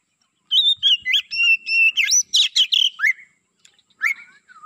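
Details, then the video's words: Black-breasted Oriental magpie-robin kept as a lure bird for attracting wild magpie-robins, singing steadily: a rapid run of clear high whistles and buzzy notes in quick phrases, then a pause and a few falling slurred notes. "Burung Kacer Pikat gacor dor"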